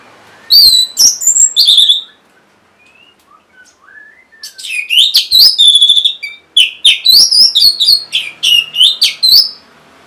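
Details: Orange-headed thrush in a cage, song used to prompt reluctant birds: an opening of high, loud whistles, a pause with faint low whistles, then a long, fast stream of varied, slurred and chattering notes.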